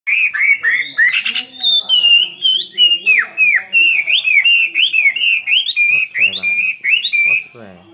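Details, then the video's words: Caged Chinese hwamei, kept two years, giving a fighting song with a spread display: loud, clear whistled phrases, repeated slurred and rising-falling notes in quick succession, each about a third of a second, with a few harsher notes early on. "Họa mi hót xòe hót đấu"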